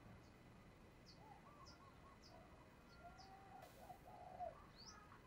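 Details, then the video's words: A female dove, used to stimulate males, gives soft, low, rolling coos in short phrases, while another bird adds thin high chirps about once a second in the background. "Tiếng Chim Cu Mái Kích Trống"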